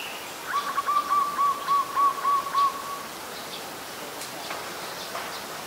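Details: An adult zebra dove (Geopelia striata) in Ubon Ratchathani, Thailand, on 28 December 2020, gives a soft, rolling coo of about eight quick, wavering notes over two and a half seconds, with faint chirps of other birds behind.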